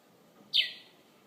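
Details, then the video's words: Morning bird outside a bedroom window in Conakry giving a single bright, downward-sweeping chirp; faint low background hum otherwise. "Bird chirping from my bedroom window"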